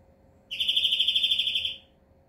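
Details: A European greenfinch gives one steady, quick-pulsed trill at high pitch, roughly a second and a quarter long, with quiet surroundings before and after.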